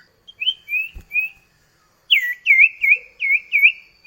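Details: Common iora duet serving as a lure for kept birds: three soft slurred whistles, a pause, then five quick looping whistled notes.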